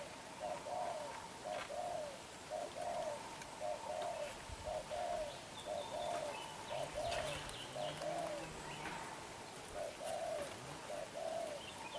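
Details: Young black-eyed spotted dove, recently caught, giving the vigorous đập gù cooing: an even series of hollow, slightly rising coos about once a second, with a brief pause near the end and faint low rumbling.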